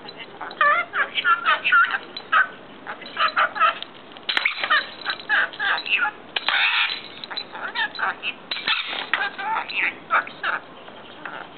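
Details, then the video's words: Pet male rainbow lorikeet, fast at learning words, telling its owner off because it hates people touching its mirror; harsh, speech-like chattered syllables in rapid bursts, imitating swearing, with brief laughter nearby. "Swearing Lorikeet, talking bird"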